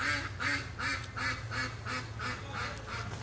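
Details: Ducks in a fall garden quacking loudly in the background: rapid nasal quacks repeated about every 0.4 seconds in a steady run, with low rumbling background noise.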